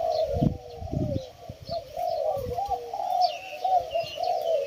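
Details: Spotted doves kept at a home in Thailand, calling after many birds were released: steady, throaty, mid-pitched cooing phrases run almost continuously, with a few low thuds and faint high chirps behind.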